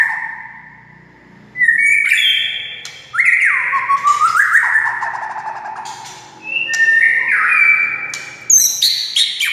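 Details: Varied white-rumped shama song meant to goad other shamas into singing: mellow slurred whistles that rise and drop, punctuated by crisp high notes, in three or four loud phrases.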